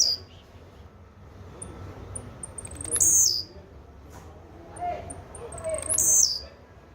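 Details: Blue-black grassquit gives two high, harsh, falling buzzes about three seconds apart, each introduced by soft ticks. Faint lower sounds are heard between the songs.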